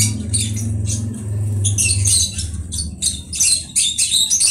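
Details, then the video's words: Conure producing raspy squawks that grow denser and louder in the second half, over a continuous low rumbling background. "Conure bird"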